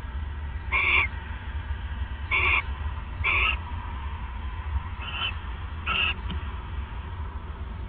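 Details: Nesting owl bonding on a night in late December 2014, around 1:26 AM: five brief rasping screeches scattered irregularly across eight seconds, some fainter, above a constant low-pitched background hum.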